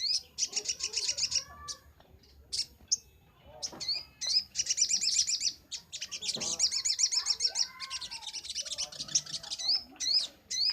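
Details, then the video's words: Brown-throated sunbird singing on a master recording for training birds: bursts of rapid, high, buzzy trilled notes lasting about a second, broken by sharp upslurred chips, with faint lower chirps in the background. "Masteran sogok ontong paling ampuh - sogon gacor nembak"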